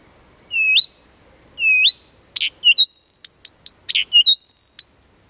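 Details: Blyth's reed warbler singing at Planta, Podlaskie Voivodeship, Poland: clear whistled upslurred notes and level whistles mixed with short harsh clicks and buzzy chacks, phrases repeated in a varied, unhurried sequence.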